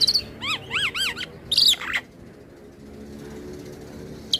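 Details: Black-winged starling singing a provoking song to rile other starlings: a few arched, clear whistled notes and a harsh squeaky burst, then a soft background hiss and one faint high note.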